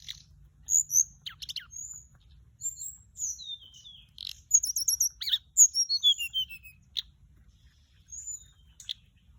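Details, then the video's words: Hill blue flycatcher song used as a lure: high, clear whistled phrases mixed with quick sliding notes and short trills, bursts spaced irregularly across the recording, with faint low background rumble. "เสียงต่อ นกจับแมลงอกส้มท้องขาว"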